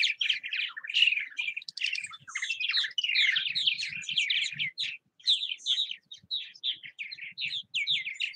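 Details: Purple martins at bird houses in Southwest Missouri keep up a loud, overlapping chorus of gurgled warbles, chirps and dry rattles, with faint low thuds beneath.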